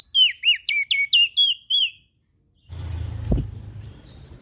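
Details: Ashy prinia calling vigorously to draw in small birds: seven or eight loud, clipped chirps about four a second, followed by silence and then a burst of low rumbling noise with a click.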